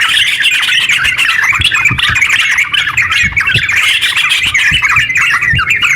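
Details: Sooty-headed bulbul in rapid, long continuous ngeropel song, used to spur other bulbuls to sing: dense bubbly chattering warble without pause, overlapping quick notes, with faint low thumps beneath.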